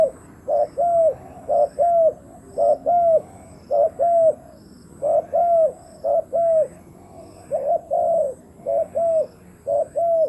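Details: Spotted dove decoy luring wild birds, delivering a long steady run of about ten double coos, a brief note then a sustained arched coo, spaced about a second apart.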